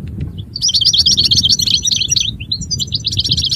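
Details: European goldfinch delivering a quick liquid twitter of repeated high notes, about four per second, tumbling then resuming after a brief gap, over low rumbling background noise.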